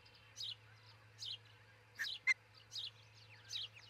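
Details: Osprey calling at a nest near Charlo, Montana, around 4:50 am on June 22, 2018, recorded by a nest camera: five high, downslurred chirps and one sharp whistled note, over a steady low hum.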